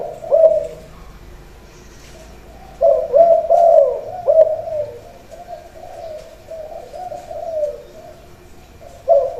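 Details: Ground-trained male decoy Spotted Dove performing khan yon cooing ahead of shipment; a short coo at the start, then a strong, rolling phrase from about three seconds that fades into soft coos, and another burst at the end.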